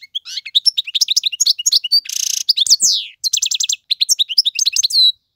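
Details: Male European goldfinch singing to tutor young birds: fast twittering phrases of high chirps and slurred notes, a harsh buzzy rattle near the middle, then rapid repeated trilled notes and a closing descending slur.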